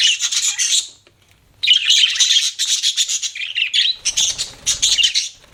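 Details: Budgie chirping in long buzzy runs of scratchy twitters, one clear pause after the first second, then steady chattering to the end.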